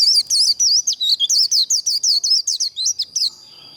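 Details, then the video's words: High-pitched 'líu' contest song of a white-eye, the kind used to train and provoke birds for singing contests: a quick run of twisting, sharply inflected whistled notes, roughly three per second, stopping abruptly before a faint steady tone. "Vành khuyên líu đấu"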